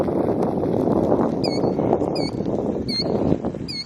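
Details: Killdeer protecting its nest at Iona Beach, Richmond, British Columbia, Canada: four sharp, high, clipped call notes spaced roughly 0.7 seconds apart, set against a steady rumble of wind or water.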